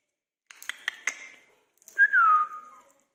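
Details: Indian ringneck parakeets greeting each other: a quick run of clicks and chatter, then one loud drawn-out whistle sliding downward.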